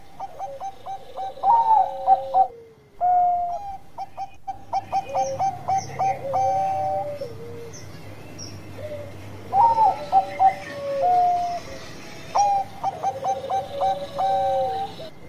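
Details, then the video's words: Zebra dove of the Bangkok type, kept as a songbird, singing a lure song meant to provoke other doves into singing: bursts of mellow, stepped cooing notes, each phrase ending in a lower drawn-out coo. The phrases repeat several times with short pauses, and faint high chirps sound in the background. "Pancinganan Suara kung Perkutut Bangkok Gacor"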